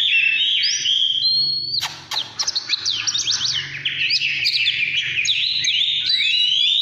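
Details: In 'căn lửa' style, an Oriental magpie-robin opens with a long, steady whistle, then switches to a rapid burst of scratchy clicks and slurred notes before sweeping whistles resume, over a faint low hum.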